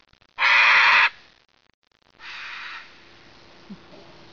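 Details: A macaw having a word with an old lady: one loud, harsh, grating screech, then a weaker raspy squawk after a pause, with faint background sounds.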